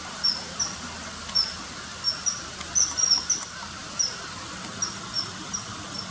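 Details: Common kingfisher filmed along a river in early September 2020 catching small fish, with a dubbed call: sparse, thin high whistles spaced unevenly, a short cluster near the middle, and a steady background hiss.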